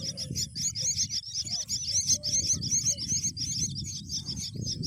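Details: High, scratchy chirps repeat quickly and steadily, about two and a half per second, while a myna feeds a green worm to its young; a low background rumble runs underneath throughout.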